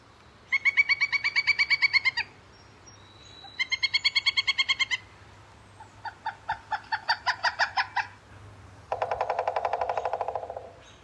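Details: A Pileated Woodpecker from the Schuylkill region gives loud, ringing series of rapid, even 'wuk-wuk-wuk' calls in bursts of one to two seconds, with a few harsher, noisier series later on.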